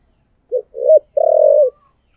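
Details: Spotted dove decoy bird in the 'giọng thổ' calling style: one phrase with a short low coo, a bending middle note, then a long purring trilled coo lasting about half a second. Background otherwise quiet.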